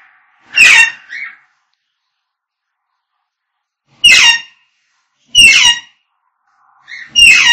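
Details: African grey parrot calling, pet parrots: sharp broadband squawking bursts spanning high pitches, four separated calls with long silent gaps between them, indoors.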